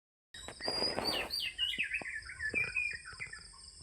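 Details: Oriental magpie-robin singing in the morning: a burst of rustling noise, then a string of clear whistled notes sliding up and down, with a steady high insect drone behind.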